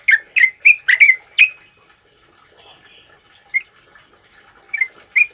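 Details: Sooty-headed bulbul singing loudly in the rapid 'ropel' style used to train other songbirds: a quick burst of six bright, liquid whistled notes, a short pause, then scattered single notes returning near the end.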